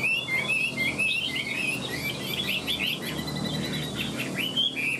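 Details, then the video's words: Caged Chinese hwamei with fanned tail and wing-flicking display, singing a rich, rapid run of high whistled and slurred phrases, varied and continuous, with a faint low background hum. "hót tốt giọng hay"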